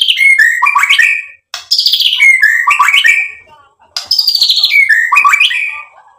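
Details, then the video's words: A white-rumped shama in lively song, meant to provoke other shamas and displaying mimicked material: a rich phrase of buzzy notes and sharp whistled slurs, repeated about every two and a half seconds. "MURAI BATU GACOR MEMANCING EMOSI JADI NYAUT BUNYI BONGKAR MATERI ISIAN | PANCINGAN MURAI"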